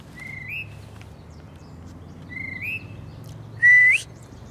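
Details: Spring call of a wild tufted titmouse with messy feathers: two soft whistled notes that bend upward at the end, then a much louder, brighter whistle sweeping sharply higher, against a quiet low hum.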